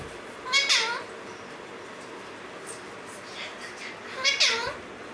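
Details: Alexandrine parakeet from a caged male-female pair giving two rasping, downward-bending squawks about four seconds apart, with faint softer noises in between indoors.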